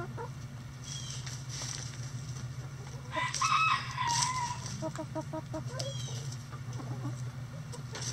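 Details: Backyard chickens going about their daily activity; a short, harmonic rooster-like crow rises and falls mid-clip over a steady low hum, with scattered clucks and clicks throughout.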